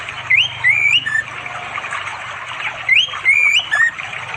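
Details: Afternoon song of a male-calling orange-headed thrush in remote East Java forest beside a flowing river, phone-recorded: two melodious phrases of looping, rising-falling whistles about two and a half seconds apart, water murmuring underneath.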